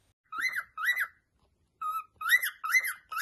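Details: Pet cockatiel singing a run of arched whistled notes, each rising then falling, about two per second, with one flatter whistle after a short pause; indoors and otherwise quiet.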